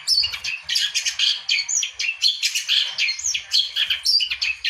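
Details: Long-tailed shrike pouring out a rapid, harsh chattering song, scratchy high notes packed closely together with occasional clearer whistles breaking through.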